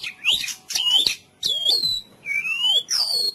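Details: Training song of a white-rumped shama, full cililin style, made of loud ringing whistles that sweep up or down, given in five separate phrases.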